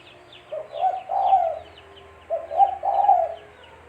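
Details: Tekukur, the spotted dove, cooing as a trapping lure: two soft low phrases, each a brief coo followed by a longer rolling note, roughly two seconds apart, over a faint hum and distant high chirps.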